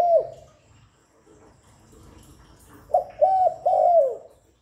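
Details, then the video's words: A spotted dove coos, a call used to lure other doves; one falling coo at the start, a pause, then a three-note phrase of low hollow coos ending in a long downward slur. "Tiếng Cu Gáy GọI, Cu Thúc, Cu Gù liên tục không tạp âm, kích bổi hiệu quả, Tiếng cu đất gáy, Cu cườm"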